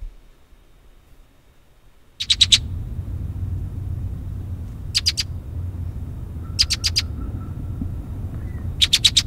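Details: A Red-winged Blackbird in St Joseph or Elkhart County, Indiana, gives sharp, high clusters of rapid clicking notes about every two seconds, with a brief steady whistle-like tone and a low rumbling background: a call.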